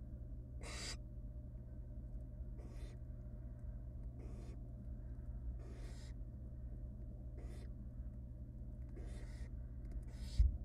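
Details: Hissing shrieks of wild barn owl nestlings begging as the female parent feeds them tiny bits of rabbit in a nest box, seven spaced harsh bursts, a knock at the end, steady hum.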